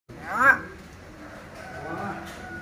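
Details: A free-roaming pet common hill myna talks in a humanlike voice, calling a baby's name "Chõn ơi": a sharp, rising two-syllable call, then a softer, drawn-out phrase, like someone calling a child.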